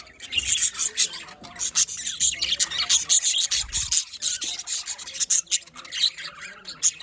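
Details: A colony of pet budgerigars in continuous raspy chatter, rapid high chirps and scratchy warbles from several birds overlapping, with occasional low bumps in the background.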